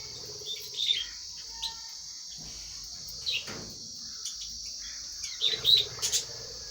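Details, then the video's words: Lovebirds, while eating, give brief, shrill chirps, scattered singly and then in a quick cluster near the end, over a steady high-pitched hiss like insects. "Love birds sounds"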